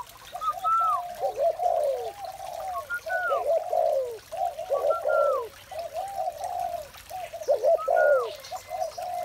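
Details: Spotted doves fill a morning with rolling low coos in repeated bursts roughly every one to two seconds, each group topped by a short downward-sliding whistle.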